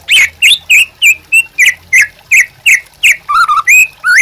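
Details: White-rumped shama song meant to stir and teach other birds. A series of short, slightly buzzy whistled notes about three per second, ending with a couple of lower, longer slurred whistles.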